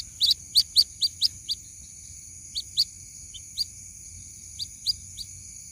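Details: High, sharp rising chirps from a white-breasted waterhen chick calling its mother, recorded as a lure sound: a quick run of six peeps, then scattered single notes and pairs over a steady thin high hum.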